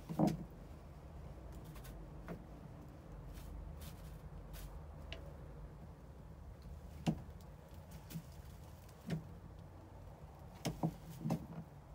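A steady low rumble with scattered knocks and thumps, like doors or handling noises indoors; no animal voice stands out.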